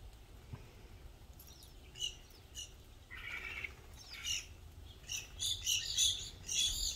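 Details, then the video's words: Group of evening grosbeaks visiting Burlington County, New Jersey, in fall 2020: scattered short chirps, then a busy run of overlapping sharp, high calls from several birds toward the end. "Evening Grosbeak Arrival Fall 2020"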